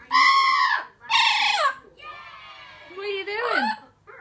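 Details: Pet female Blue-fronted amazon, age 4, getting chatty and excited when she knows it is time to come out: loud harmonic speech-like squawks and words, two strong bursts then a quieter stretch and a falling, wavering phrase.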